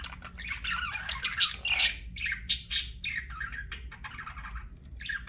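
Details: Budgerigar chirping: a busy stream of short, scratchy warbles and squeaky notes with a few sharper bright peaks, over a steady low background hum.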